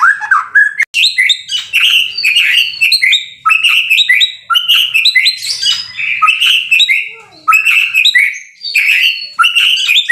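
A white-rumped shama sings a rich, continuous run of loud whistles, chatters and fluty phrases, changing pattern every second or so without pause.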